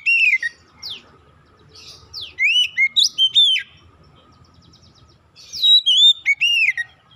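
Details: Oriental magpie-robin singing, used to trigger song in other magpie-robins: varied phrases of clear slurred whistles, steep downward sweeps and brief buzzy notes, with a rich burst returning after a quiet spell.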